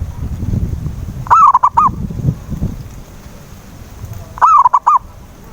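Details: Zebra dove coo played as a lure to make a silent dove sing: two phrases about three seconds apart, each a rolling, wavering note followed by two short clipped coos, over low rumbling background noise.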